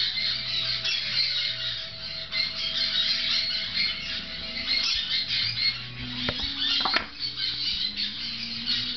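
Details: Six-week-old young grey-cheeked parakeets munching fresh food in a tent keep up a dense, harsh, high squawking and chattering throughout, with a few low hums and a brief clatter in the background.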